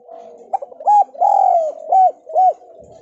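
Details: Lure call of a Javanese spotted dove for lazy doves: a short phrase of arched coos around one long drawn-out coo, quiet before and after.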